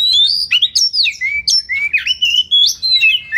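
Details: Kacer song for masteran, to train birds for song contests: loud, clear Oriental magpie-robin whistles in short phrases, each note sliding or bending in pitch, following one another about every quarter second.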